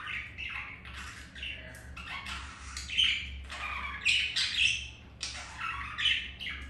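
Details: Pet budgerigars during mating after one white-grey bird rejected the male: a continuous run of short scratchy chirps and squawks, rising and falling in clusters, with louder bursts near the end over a low steady hum.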